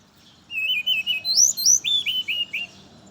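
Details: Brown-chested jungle flycatcher singing in the morning, used as a lure for others of its kind: a quick run of sweet whistled notes, low warbled phrases rising to higher slurred whistles, then a series of short falling notes.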